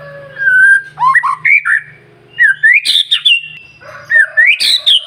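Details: White-rumped shama singing in the morning, used to provoke other birds into song: a long level whistle, then bursts of rising, slurred whistled notes and sharp higher phrases, with a faint low hum beneath.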